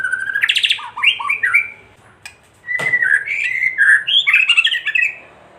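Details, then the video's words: White-rumped shama lure song meant to make other shamas agitated and sing. A sustained whistle opens into a harsh buzzy burst and choppy notes, then a brief pause, then a long run of fluty, jumbled warbles. "Kretekan murai batu gacor AMPUH memancing murai batu agar EMOSI"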